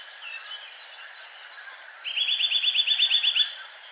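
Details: Eurasian Nuthatch singing in winter delivers a quick, even run of about thirteen bright rising whistles lasting just over a second, after faint high chirps from other birds.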